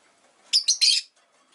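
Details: One short, harsh triple chirp from caged rosy-faced lovebirds, a household flock of five beside a window, over faint low street hum.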